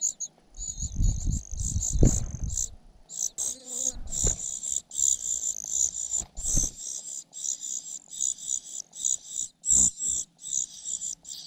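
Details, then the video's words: Young cuckoo in a foster nest begging and pecking its foster mother; low rustling thumps open, then continuous loud sizzling high calls in short pulsed bursts. "Cuckoo bird can't grab food, attacking mother bird寄生的杜鹃鸟屡次抢不到食物，气急败坏，对着养母一顿啄"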